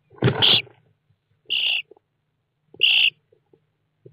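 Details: Common starling nestlings inside a nest box on 29 June 2017, picked up by an IP surveillance camera mounted in the box: three harsh, raspy hisses about every 1.3 seconds, the first preceded by low rustling and bumping.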